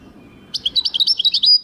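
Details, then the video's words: Short phrase from a European goldfinch: a burst of high, quick twittering notes closing on a sustained buzzy tone. "goldfinch singing chardonneret jilguero singing 2023"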